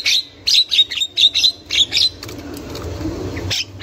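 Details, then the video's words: Female Javan myna chattering in the wild, a lure for young mynas: a rapid string of short grating notes repeated about every quarter second, a pause with low hum, then a single final squawk. "Burung Jalak Kebo Super Gacor Untuk Pancingan Jalak Kebo Muda"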